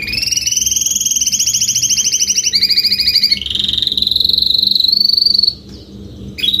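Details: Adult Spanish Timbrado canary in full song: fast metallic rolling trills, first doubled and slightly rising, then dropping to a lower continuous trill, ending with a pause and a brief new phrase.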